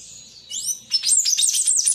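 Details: Palm tanager singing a lot: a short burst of rapid, high, squeaky twittering with a few upslurred notes, after a quiet start.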